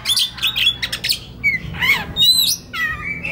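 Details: An oriental magpie-robin sings relaxed phrases before konslet, a master recording for young wild-caught birds; harsh squawky notes mixed with quick downslurred whistles and a final sustained whistle.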